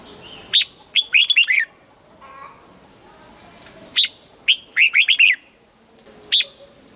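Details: During morning song training, a red-whiskered bulbul works on the double-note 'old forest' style, giving two lively warbled phrases of several whistled notes, each followed later by a lone bright chirp.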